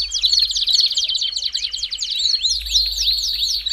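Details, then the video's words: Belgian canary singing to warm up other canaries: a fast buzzy trill, then a series of evenly spaced downward-slanting notes, over a low background hum. "CANTO PARA ESQUENTAR CANÁRIO BELGA RÁPIDO!!!"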